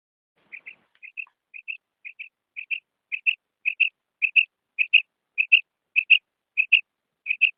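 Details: Female common quail calling, a sound used to lure quail when hunting in ripe wheat. A long regular series of doubled whistled notes, about fourteen pairs, grows steadily louder. The background is otherwise silent.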